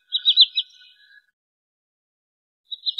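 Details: High whistled notes of a wood sandpiper, played as a trapping lure. A run of four quick downslurred notes, then a long silence, then the start of another burst.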